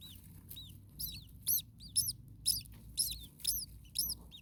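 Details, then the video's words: Starling young in an overheated attic nest with a parent close at hand: loud, high, curving squeaks in a steady series of about two per second, some notes doubled, over faint low hum. "Starling baby birds very hot. Day 2 Nest 2. Mama bird was close by making some noises."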